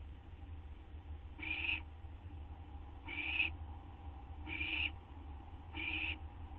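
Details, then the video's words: Owl at night on September 8, 2011, about to get a gopher or vole treat, another owl nearby just finished hers; four short raspy hissing bursts spaced about 1.3 seconds apart over constant low-frequency hum. "Belle's Turn For A Treat - Gopher or Vole From Dale!"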